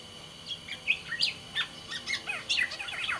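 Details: Sumbawa black-naped oriole, kept as a cage songbird, giving lively twittering song of short rising and falling whistles and chirps spaced irregularly, with a steady electrical tone behind.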